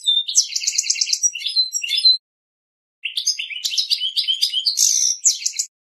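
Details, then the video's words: A goldfinch sings two bursts of high, fast twittering, with liquid trills and buzzy notes run together and a short pause between them. "GOLDFINCH SINGING"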